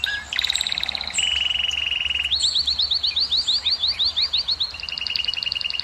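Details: Canary singing to stimulate females to breed: a short whistle, then a steady buzzy trill, followed by a series of quick rising slurred notes and a final run of clear repeated whistles.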